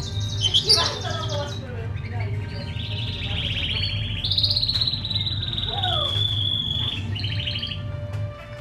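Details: Caged pair of white Fischer's lovebirds, late December 2015 near midday: sharp chirps, then a sustained, buzzy, high whistle that holds steady for several seconds, with a deep background hum throughout.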